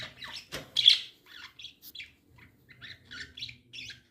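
Lovebirds give quick, high chirps and a harsher squawk, in bursts of short repeated notes.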